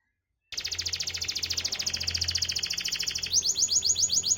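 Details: Canary singing, used to coax lazy, silent canaries into song: after half a second of quiet a steady, rapid rattling trill runs, switching near the end to higher, repeated sweeping notes; a faint low hum underneath.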